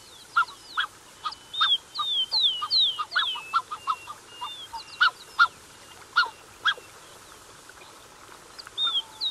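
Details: Black-necked Swan pair and cygnets at close range, a lively mix of rapid honks and slurred high whistles, densely packed at first, thinning toward the end.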